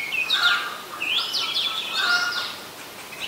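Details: Oriental magpie-robin, very common resident in Ubon Ratchathani, Thailand, recorded 26 December 2020: two loud rich phrases of upslurred whistles over softer lower tones, separated by a short pause.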